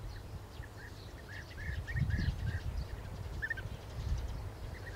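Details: European bee-eater perched on a twig, singing soft, rolling 'prruip' notes in quick, loose series over a steady low rumble of wind or distant traffic.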